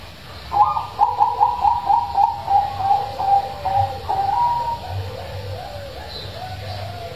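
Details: Zebra dove with a big, deep voice, used as a lure to prompt quiet doves to sing: a quick series of about a dozen soft staccato coos that slow and blur into a drawn-out trill, then fade.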